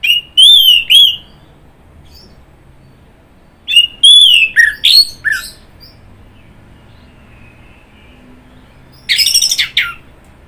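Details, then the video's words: Orange-headed thrush (anis merah) singing in short bursts of loud slurred whistles separated by silences, ending with a harsh, noisy rasping phrase. "Kicauan Burung Anis Merah"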